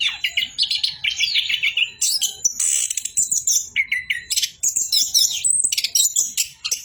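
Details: Orange-headed thrush pouring out continuous 'bocor' song: warbled whistles, trilled phrases and high buzzy bursts tumbling one after another without a break.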